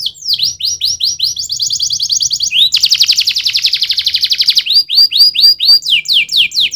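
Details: Canary song of fast repeated whistled and rolling phrases: upslurred notes, a buzzy trill around the middle, then clear rising whistles about four per second, steady and loud throughout.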